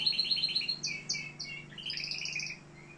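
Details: Canary in Algeria singing bright, high, rapid trills of repeated notes, then a few sharp separate chirps and another fast rolled trill, over a low steady hum.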